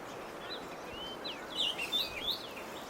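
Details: After rain, a Chinese grosbeak preens atop a Chinese toon tree by a window. Thin slurred whistles, then a louder cluster of sharp, looping notes near the end, against a constant low hiss.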